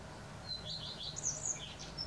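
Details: Single song phrase of a common redstart, recorded on an April 2020 morning in western Poland: a thin high note, quick lower warbles, then bright high twittery notes, against a low hum.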